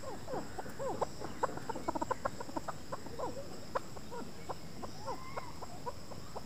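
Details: Chukar calling in a rapid run of dry clucking chuk notes, bunched into quick bursts with a few slurred, falling notes between them, over constant low hiss and a faint high electrical hum.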